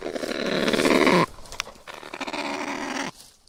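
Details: Kakapo (Strigops habroptilus) making a loud, buzzy, growling rasp for just over a second, followed by a softer, longer grating sound.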